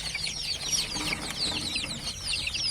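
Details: Newly hatched chicks, kept in a warm room, give scattered high, thin descending peeps over a low background hum.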